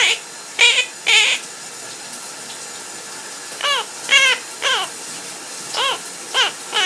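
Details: Household parrot singing as its owner showers: clear, downward-bending harmonic notes spaced about half a second to a second apart, in two bursts, over a continuous rush of running water.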